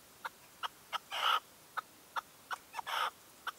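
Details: At dawn in 2023, a red-legged partridge decoy alternates short, evenly pitched notes with two louder, rasping bursts. The setting is otherwise quiet.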